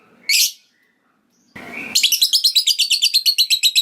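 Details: Lovebird moving from ngetik to long ngekek chatter that draws other lovebirds in: one harsh high squawk, a short rustling noise, then a steady rapid series of shrill buzzy notes, roughly six each second.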